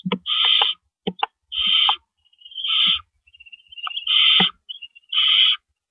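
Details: Nest of owls in the early morning darkness of April 4 2012, adults arriving with and removing rabbits; loud noisy hisses come in uneven bursts, mixed with sharp ticks and a thin wavering whistle between them.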